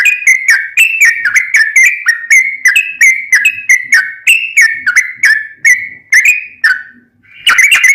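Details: Sooty-headed bulbul singing in fighting style to train caged birds that have stopped singing: long, even series of whistled notes dipping and rising, about two per second, with a short pause near the end.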